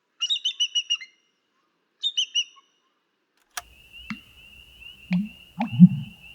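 An American Bittern gives deep, gulping low pumps, three about a second apart, after quick high chirps from another bird; a thin, steady high tone runs underneath.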